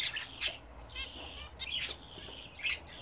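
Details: Pet budgerigars at bath time give drawn-out, buzzy high calls a second or so long, with a couple of sharp clicks and short chirps between them.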